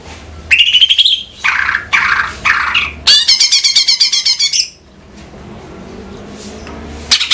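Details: Greater green leafbird from Banyuwangi, kept caged, in loud song: a few whistled and harsh notes followed by a rapid rattling trill of about fifteen notes, then quiet.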